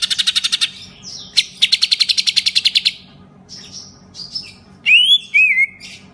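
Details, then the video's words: Kept green leafbird showing off its repertoire of lovebird-style ngekek trills: two bursts of fast, buzzy pulsed trilling separated by a sharp note, then scattered thin whistles and two loud, slurred, descending whistled phrases. "Cucak ijo bongkar isian tembakan love bird ngekek"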